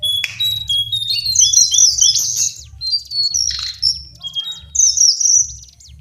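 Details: Lesser shortwing delivering bursts of quick, high-pitched twittering warble separated by short pauses, with a steady low background hum.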